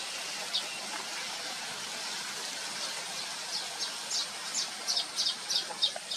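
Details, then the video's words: Baya weavers give a chorus of short, high chirps that grow busier toward the end, over a steady broadband hiss like rushing water. "Baya weaver birds"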